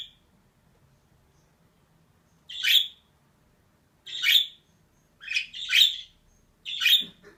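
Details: Scratchy chirping calls of a female budgerigar: after a pause, single harsh notes and a close pair, spaced a second or so apart, ending with a soft low thump.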